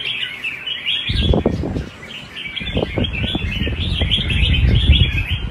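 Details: Vietnamese competition singing by a Red-whiskered bulbul: lively, continuous warbled phrases of short whistled notes, accompanied by repeated low knocking and rumbling noises and music underneath.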